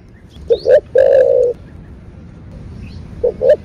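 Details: Kept spotted dove coo in the Vietnamese 'thổ bầu' voice, played to excite other doves: two quick low notes, a long steady coo, a pause, then two quick notes again.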